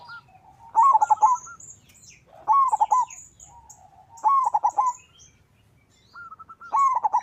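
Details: Local zebra dove in full song, used to lure other doves into singing. Four burry, tremulous cooing phrases come about every two seconds over faint background chirps from smaller birds.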